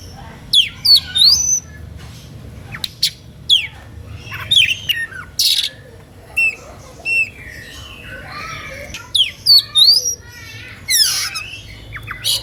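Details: Oriental magpie-robin singing an emotional, lively song that provokes rival magpie-robins within earshot to sing along; varied loud phrases of sharp whistles, rising and falling sweeps and harsh squawky notes, delivered in bursts separated by short pauses.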